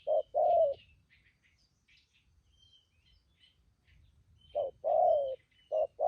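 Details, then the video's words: Spotted dove decoy bird used in trapping, noted for its 'thúc gù' cooing; a short coo and a long hollow coo open, then quiet with faint high bird chirps, and another coo pair returns near the end. "Bấy cu gáy bổi thổ tốt tiếng , hàng thúc gù"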